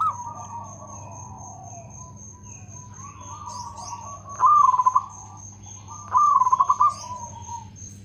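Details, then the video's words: Local zebra dove singing actively with a loud voice and good rhythm: two bursts of rapid, pulsed low coos about two seconds apart, over a faint earlier cooing, a steady high electronic whine and a low hum. "Perkutut lokal gacor suara lantang irama bagus"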